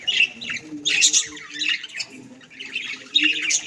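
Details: Several pet budgerigars indoors at home giving harsh, scratchy squawks and chattering warbles in bursts about a second apart, with a steady low room hum beneath.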